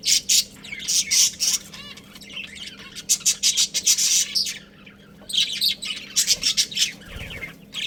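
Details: Captive budgerigars, a breeding pair, chirp in rapid pulsed runs of bright, scratchy notes, about three per second, in groups separated by short pauses, with a low hum behind.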